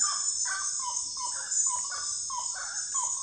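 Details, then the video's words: Common gallinule giving a run of short, nasal clucking notes that step up and down in pitch. A loud, steady high insect drone runs underneath throughout. "lindo canto da galinha da,agua ou frango da agua"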